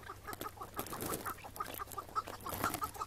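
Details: Chukar partridge of the Iraqi type caught one May 2017 morning and freed afterwards; brisk, even series of short clucking notes, growing more distinct toward the end, over light rustling.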